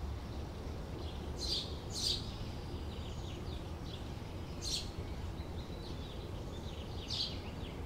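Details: Sparrows at a bird feeder: short, bright chirps come in separate bursts of one or two notes, spaced unevenly a second or more apart, over a steady low rumble of background noise.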